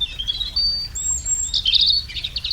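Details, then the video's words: A European robin in a garden sings its melodious, fluted song: a high, liquid run of thin whistles and quick rolled trills, the phrases tumbling and shifting in pitch without pause. "Son chant mélodieux et flûté est un véritable enchantement pour les oreilles."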